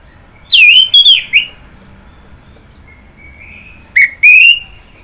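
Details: Orange-headed thrush singing: loud whistled phrases with sliding notes around the middle, a soft drawn-out whistle, then another bright burst of slurred whistles near the end.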